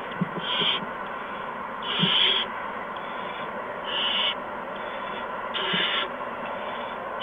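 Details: Owlets at a nest on March 13, 2015, between 8:04 and 8:09 PM, while parents deliver mice and a gopher. Rasping hiss bursts of about half a second recur every one to two seconds, with faint low knocks underneath.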